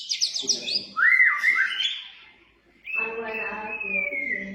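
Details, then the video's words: Murai batu (White-rumped shama) in lively gacor song meant to trigger another bird into singing: fast high trills, a loud warbled whistle, a pause, then a long sustained whistle over a low droning sound. "masteran,pancingan burung murai batu"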